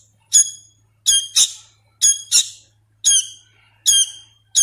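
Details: A young hand-reared sooty-headed bulbul, still learning its calls, gives loud, shrill, squeaky begging calls, single or in quick pairs, about once a second. The room is otherwise quiet.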